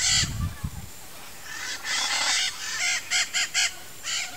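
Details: Nesting pair of blue-and-yellow macaws (Ara ararauna) at a nest among trees; a few low thumps at the start, then loud, grating broadband squawks, the last several short and clipped in quick succession.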